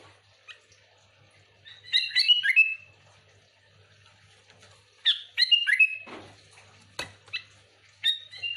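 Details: Sooty-headed bulbul song for luring other bulbuls: two lively bursts of bubbly, slurred whistles separated by quiet, with scattered short sharp clicks and chirps between them.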